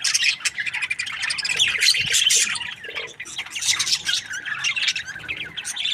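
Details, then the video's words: Budgerigar breeding pair, described as happy, giving steady scratchy chatter mixed with short sharp chirps and raspy squawks, unbroken throughout. "Happy budgie chirping sounds 🦜| breeding pair"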